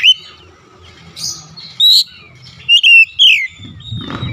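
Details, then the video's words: Oriental magpie-robin, kept bird, giving a few separate whistled phrases with slurred downward sweeps and short buzzy notes, spaced by quiet gaps, ending with a low rumbling noise. "Kacer ngedrop macet bunyi sekali dengar langsung gacor"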